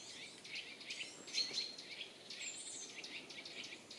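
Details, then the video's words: Birds calling in Wyre Forest woodland in Worcestershire, England, autumn 2016: a couple of short thin high whistles, then a slurred high note, set against soft continuous background chirping. "Beautiful Bird Song"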